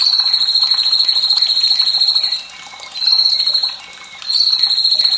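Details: White-rumped shama in a fierce-voiced training recording with trickling water, meant to stimulate young, untrained and reluctant birds to sing: long rapid pulsing trill held at a high even pitch, breaking briefly twice, then resuming.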